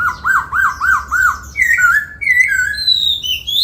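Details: Laughingthrush, a cage bird trained to sing in the 'bắt cô trói cột' style while singing and dancing: four clear arched whistles in a steady series, then higher slurred phrases that climb toward the end.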